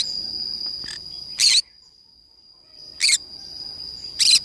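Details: Green-cheeked conure playing alone in the forest, giving three short, harsh, screechy bursts spaced about one to one and a half seconds apart over a constant high, thin insect-like whine.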